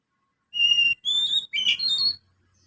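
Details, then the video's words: Young Oriental magpie-robin in ngriwik practice song, imitating sparrow filler: three clear whistled phrases in quick succession, the first steady and high, the second slightly rising, the third a warbling twist. "Kacer Muda ngriwik Isian burung gereja."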